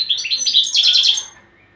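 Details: European goldfinch training song: a bright, liquid twittering phrase of high trilled notes and tinkling chirps, about one second long, then fading to quiet.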